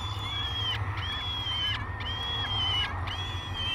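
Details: Peregrine falcon chicks waking for breakfast at Great Spirit Bluff on 22 May 2020, live nest cam: a series of drawn-out, harmonic wailing screams, each about a second long, repeated almost without pause over a low constant rumble.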